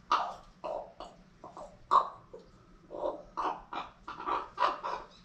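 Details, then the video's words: Pet female common raven, normally known for loud in-your-face squawking, now making strange noises. A dense, uneven run of gravelly croaks and squawks, about one every half second, some louder and hoarser. "Raven Becky trying to talk or just squawking in my face?"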